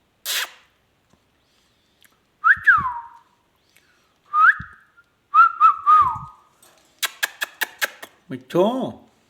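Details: Indian ringneck parakeets, a pair kept as pets, giving clear whistled notes that rise then slide down, a few seconds apart, followed by a quick run of sharp clicks and a harsher wavering call at the end.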